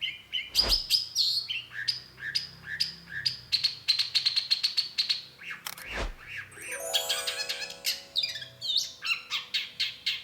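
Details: Lively song of a long-tailed shrike (cendet), described as singing hard and used to provoke an answering bird: high sustained chirps and trills, two dull knocks, a harsh buzzy rattling burst, then evenly spaced sharp notes.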